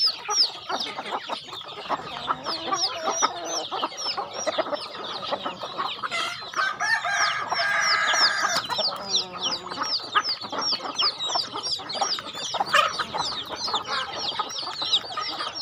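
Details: Chickens being fed on a rural home farm: a fast, unbroken chorus of high descending peeps from many birds, with a longer, harsher drawn-out call rising out of the flock midway.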